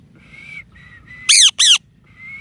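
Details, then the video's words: Short burst from a parrot: steady whistled tones, two loud, harsh, downward-sweeping squawks back to back, then another level whistle. "Real Parrot Voices – Whistles, Talking & Chirping Sounds"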